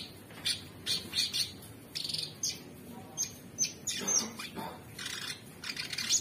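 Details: High scratchy chatter and thin whistled notes from a super gacor orange-bellied leafbird, in the current 'materi' song style, rising in bursts, with a lower rough passage near the middle.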